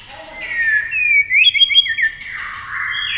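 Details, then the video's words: White-rumped shama singing in a speed song contest, flashing its wings and flicking its tail continuously; clear whistled phrases, a long sliding note, then a rapid run of bright trilled notes and a final drawn-out whistle. "chòe lửa hót đấu tốc độ"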